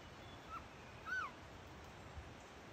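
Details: Collared trogon, one of a pair calling across a footbridge above Sueños del Bosque lodge, came in to an imitated call and kept calling overhead: a clear, mellow, slightly arched whistle after a fainter similar note, over a steady hiss.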